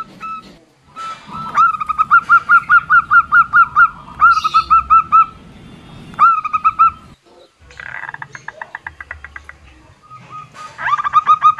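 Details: Female local zebra dove call for luring males: a quick train of curved, rising-tipped notes, partly rolling and wavering, broken by pauses and a scratchy rattling passage late on.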